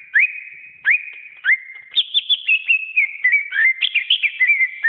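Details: Greater green leafbird (cucak ijo) masteran song: loud whistled upslurred notes repeated about every half second, then a quickening run of short sweeping whistles and chirps, clean with no background.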